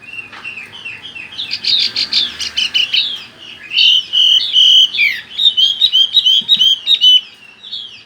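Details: Chinese hwamei (Garrulax canorus) singing a loud, rich, varied song of rapid whistled phrases, slurred notes and quick trills, with no other sounds.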